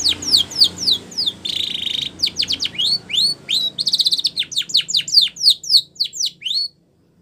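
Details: Canary training song of quick falling whistles, a buzzy rattling roll, then renewed runs of rapid slurred notes ending abruptly.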